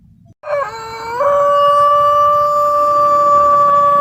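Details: White Pelung chicken crowing: after a brief stepped, lower onset the crow settles into one long, steady, drawn-out tone held for nearly three seconds.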